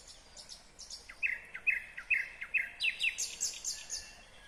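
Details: Singing nightingale, Kyrgyzstan 2020, delivering a loud series of sharp repeated notes about three per second, leading into a rich, rattling high trill.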